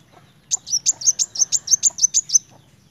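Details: Energetic song from a kolibri wulung sunbird: a fast, even run of about twelve piercing, high metallic notes lasting roughly two seconds, with faint clicks in the background.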